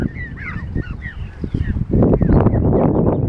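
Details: Several quick nasal honks from geese crossing a car park in York with their young, then a loud burst of rough low noise covers the last half.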